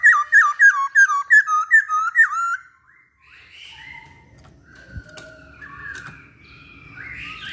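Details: Masked laughingthrush singing actively: about nine loud, rich, whistled notes with dipping inflections follow each other rapidly for two and a half seconds, then quiet with faint distant bird calls and low background rumble.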